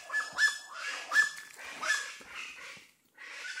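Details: Wild Plain Chachalacas at Red Bank in Belize's Stann Creek district, tracked by ear from a farm road; coarse, grating notes come in loud bursts a little over once a second, then a short gap and a fresh burst.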